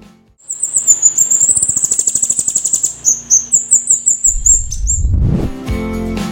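Crimson-breasted Flowerpecker giving very high, thin ticking and sizzling notes in a rapid run for about four seconds, then a low rumbling, music-like sound to the end.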